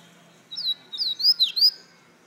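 A double-collared seedeater sings a short burst of clear, high, slurred whistles, rising and falling quickly.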